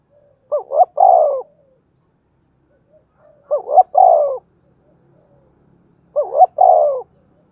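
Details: Spotted dove cooing in the thổ đồng voice, played to make freshly caught doves coo. Three even phrases repeat every 2.5 to 3 seconds, each built from two short upward notes and one longer descending coo. Faint low rustling sounds beneath.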